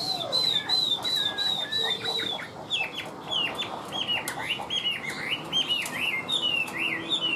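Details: Chinese hwamei, a caged bird noted for its even singing, repeats a high wavering whistle several times, then switches to loud sharply bent notes delivered in a rapid, regular sequence.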